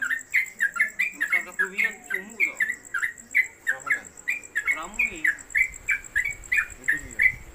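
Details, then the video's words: Caged trucuk (Yellow-vented Bulbul), a new bird with a long 'konslet kemedol' song suited for tutoring others: a continuous run of quick bright chirps, with a person speaking in the background throughout. "Trucuk Konslet Kemedol Berdurasi Pendatang Baru Cocok Masteran"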